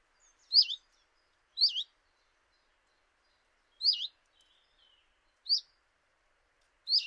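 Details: Common chiffchaff by a kitchen window in Eibar, early March 2018, giving five high, sharply falling notes at uneven intervals of one to two seconds, with a longer gap in the middle, in quiet surroundings.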